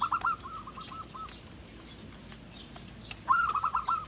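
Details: Perkutut, the zebra dove, in lively song kept for luring forest birds; a quick string of throbbing coo notes opens, a quiet stretch follows, then another pulsing trilled phrase, with faint ticking sounds in the background.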